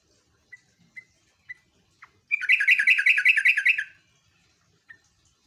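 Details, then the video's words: Sooty-headed bulbul (trucuk) singing in the rapid 'ngeropel' style for luring and master training: a few single chirps, then a fast rolling trill of repeated bright notes for about one and a half seconds, ending with another lone chirp. "BURUNG JOGJOG/TRUCUK NGEROPEL"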